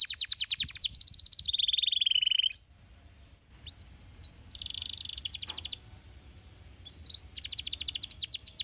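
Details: Singing canary used to encourage canaries to sing, starting with a rapid buzzy high trill that drops into a lower rolling tour, then short upturned chips, another dense rattling roll, and a final fast trill.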